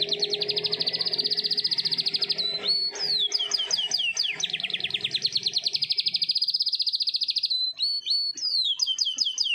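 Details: Morning song of a canary with long rolls: fast high buzzy trills alternate with bursts of quick falling whistles, then a sustained rapid roll of about three seconds and more descending swept notes at the end.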